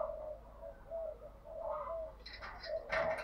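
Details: Caged decoy spotted dove calling to stir wild doves, changing its song patterns repeatedly; soft, low, hollow coos repeat through a noisy room background, with rougher brief bursts near the end.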